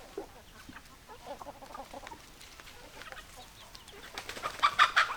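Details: Chickens cluck in soft, uneven bursts, then a louder, harsher series of sharp clucks near the end.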